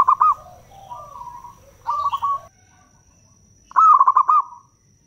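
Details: Local zebra doves used as a lure for wild doves, calling to companions. Loud stuttering, pulsed coo phrases come three times and alternate with softer, rolling coo replies from other doves. A low background rumble runs underneath.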